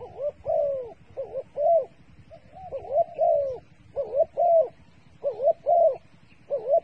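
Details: A dove used as a decoy for trapping gives soft, hooting coos in short rhythmic phrases of two or three notes each, repeated steadily with brief pauses between.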